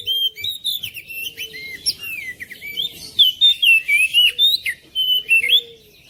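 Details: Song of an oriental magpie-robin, kept to prompt a silent bird into song at home: varied sweet whistles and quick chirps, ending in a rhythmic string of loud, evenly spaced notes, with a faint low hum beneath.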